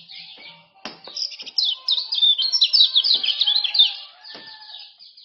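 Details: Male common iora, Lombok type, whose song serves to tutor and lure other birds: faint chirps, then a rapid run of high sharp notes for about three seconds, and a quieter tail.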